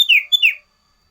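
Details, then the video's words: Two rapid, high, downward-sliding whistled notes from a sooty-headed bulbul giving its loud variation song, followed by silence. "Suara Burung Sirtu Variasi / Cocok Untuk Masteran Cipow / Juga Buat Pikat Sirdum Liar"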